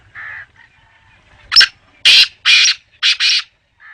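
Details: Black francolin calling: a soft buzzy note, then a loud series of five harsh, grating, broadband notes in quick rhythm, the last two run together as a double note, with near silence between bursts.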